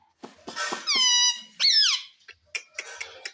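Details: Pet ringneck parrot indoors, taught to say "mummy": a few soft clicks, then two loud harmonic-rich utterances, one flat and sustained, the next rising and sharply falling, followed by faint scattered chatter.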